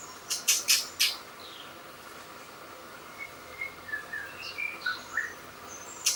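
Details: White-rumped shama, called murai batu, singing in forest: thin clear whistled notes, some rising and some falling, scattered through the middle and end, with several loud harsh bursts at the start and one at the close.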